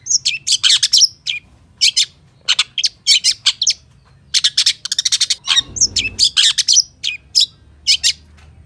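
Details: Full, chatty gacor full isian song of a long-tailed shrike: long bursts of fast, harsh chatter and squawking notes, mixed with brief whistles and short gaps, plus one low rumbling thud midway.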